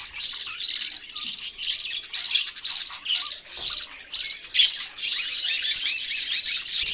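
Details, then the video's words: Budgerigars, also called parakeets, chattering in a dense, continuous stream of high, scratchy chirps and squawks, rapid and uneven, with brief pauses near the middle. "parrot chirping sounds"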